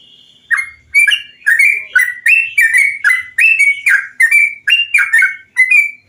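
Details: Yellow-vented bulbul song used as a training recording to stimulate birds to sing: a lively run of short bubbly whistled phrases, each rising then dropping, given in quick succession about twice a second with brief gaps.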